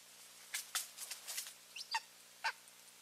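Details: Eagle pair calling while visiting their nest on 15 March 2023; a loose run of short, sharp, barking notes, several quick ones, then two clearer harmonic yelps near the end, faint against a steady low background hum.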